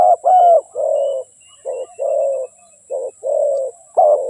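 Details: Repeated soft, hollow cooing from a spotted dove, short and long notes alternating in a rhythmic pattern. A faint thin whistle sounds in the background.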